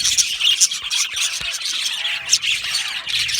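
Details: Budgerigar colony in an aviary, happy birds chirping: continuous high twittering and buzzy warbles from many birds at once, punctuated by a few louder squeaky notes.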